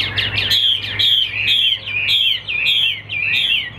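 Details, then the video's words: Big-built caged Chinese Hwamei, valued as a fine singer, repeats a rich high whistled phrase about every half second, each sweeping down in a bright slur over a faint low hum. "HÓT TỐT"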